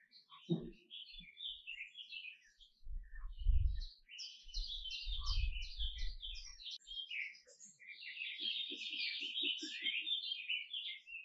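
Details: A canary delivers a long, dense warbling song of rapid trills and chirps, with loud low thuds in between.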